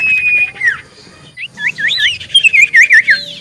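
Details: Lure song of a common iora to make others respond: a sustained flat whistle drops away, then after a short gap comes a string of quick looping whistled notes, about three per second.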